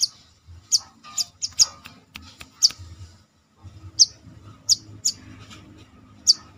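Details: High, thin, clipped chips from a captive brown-throated sunbird under confidence training, delivered in loose clusters with brief pauses, about ten notes in under seven seconds, with faint clicks and low murmur beneath.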